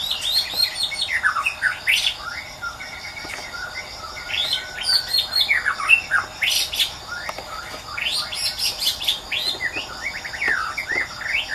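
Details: Wild white-rumped shama pouring out a long, varied song: crisp high whistles, sharp chips and rapid upward slurs in clustered bursts, with a faint steady insect drone behind.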